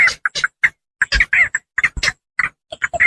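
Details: Rice-field pond heron calls used as a hunting lure: rapid string of hoarse, croaking squawks, some bursts short and clipped, others longer and rasping, delivered in an uneven stuttering rhythm.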